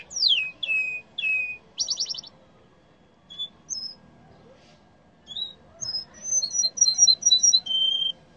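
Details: Yellow canary song opening with three loud descending whistled slurs and a rapid buzzy trill, then scattered short whistles, a string of paired high chips and a final steady whistle.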